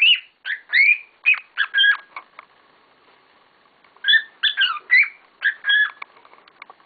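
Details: Pet cockatiels, several together and noisy: two rapid runs of sharp, whistled, up-and-down chirps, split by a quiet gap of about two seconds.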